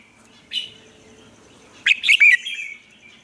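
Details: Vietnamese caged red-whiskered bulbul serving as a decoy singer for training bulbuls: a brief soft note, then a loud, cheerful phrase of three or four tumbling whistles trailing into a thinner tone.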